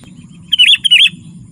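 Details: Sooty-headed bulbul, sound intended to call wild bulbuls and train captive ones: two quick, liquid, slurred chirps in rapid succession.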